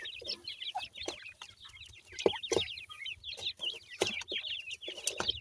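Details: Partridge chicks (teetar) feeding: a steady stream of thin, high peeps from several chicks, overlapping and repeated rapidly, broken by sharp tapping clicks from pecking at food.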